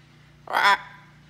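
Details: Blue-and-gold macaw kept as a pet on a farm, talking with its owner, gives one short, harsh, raspy squawk lasting a quarter second over faint background hum.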